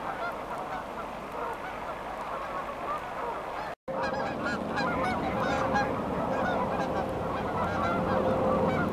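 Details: Taking off from Beaver Dam Flats in Calgary, Alberta, a flock of geese heads for warmer climates. Rapid, overlapping honks repeat densely, growing fuller after a brief dropout, with a faint steady tone.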